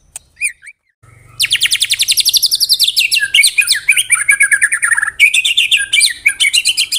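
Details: White-rumped shama (Copsychus malabaricus), rapid-fire song.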